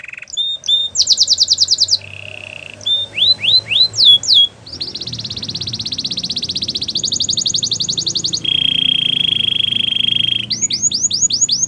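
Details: Belgian canary song mixing short whistled slurs and brief trills with long continuous buzzy rattles at several pitches, closing with repeated rising notes; faint low background hum.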